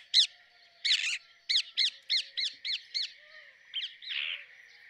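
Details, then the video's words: Rose-ringed parakeet producing a string of about eight sharp, arched squawks at a steady pace, ending in a rougher, drawn-out screech. "Rose ringed parakeet Song ! Rose ringed parakeet Call ! Rose ringed parakeet Sounds !"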